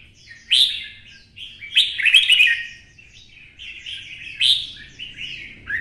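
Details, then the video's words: Caged red-whiskered bulbul with a twisting song style, excited to sing for a singing fight: rapid run of rich warbled and chirped phrases, strong bursts near half a second, two and four and a half seconds, steady background hum. "CHÀO MÀO | Giọng xoắn - Kích chim xổ bọng căng lửa hót đấu"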